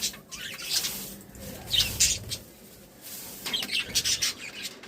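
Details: Happy budgies chirp in scattered high bursts of squeaky tweets separated by short quieter gaps, a busy flock chatter with a soft hum behind.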